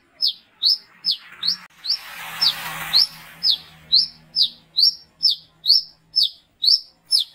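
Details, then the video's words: Brown-throated sunbird calling at night as a lure for its own kind: a regular run of sharp, high, slightly rising chips about three per second, briefly masked by a burst of broad hiss. "SUARA BURUNG WICEH GACOR NGALAS NGEPLONG / PANCINGAN KOLAP"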